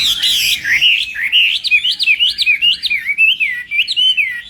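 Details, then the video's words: Hwamei training its voice in the morning: a bright opening warble, then a lively series of repeated looping whistles, each note swooping up and down in quick succession. "hoạ mi hót sáng luyện giọng"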